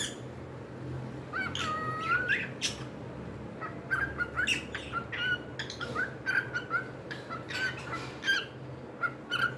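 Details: Pet cockatiels chattering indoors: a long whistled note early on, then rapid short chirps and clicks repeated through the rest.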